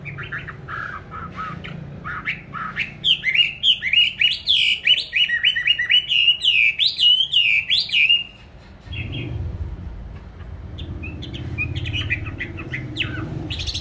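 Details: Pet songbird bought on 19 May 2020, well tended and said to sing in any place at any hour. Soft chirps give way to a long, rapid, zigzagging warble, then a low rumbling background and faint notes.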